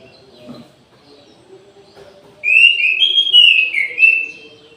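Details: Orange-headed thrush in an aviary at midday, singing a loud warbled phrase of rich slurred whistles that rise and fall, starting after two seconds of near quiet with faint low background hum.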